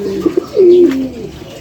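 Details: Pigeon said to be seven years old, giving a low cooing call: a short rising then level coo, a few soft clicks, then a longer smooth coo that slides gently downward and fades.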